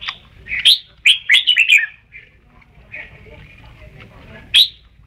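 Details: Quick tumbling phrase from a Red-whiskered bulbul, several bright, warbled notes run together in the first two seconds, a thin fading whistle, then a lone sharp chirp at the end.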